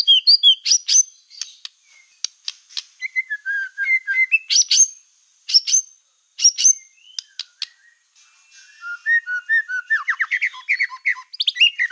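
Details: White-rumped shama, black-tailed form, in full song used to provoke other shamas: loud clear whistles and sharp high notes in separated bursts, then fast varied chattering phrases.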